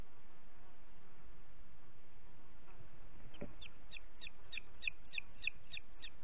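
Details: Booted eagle in Parc Natural dels Ports, 29 June 2021 at 20:30: after a quiet start, a rapid run of about ten thin, high, clipped notes, roughly three per second, over a steady low rumble.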